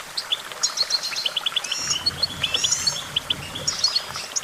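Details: Goldfinch song of bright, clipped chirps delivered in quick sequences, interspersed with drawn-out thin whistles and a low background murmur.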